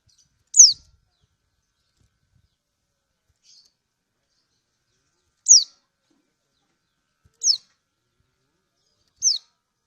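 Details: Kecial kuning of Lombok, a female lemon-bellied white-eye calling for a male: four thin, high, down-slurred 'ciak' notes, a long pause after the first, then evenly spaced about two seconds apart.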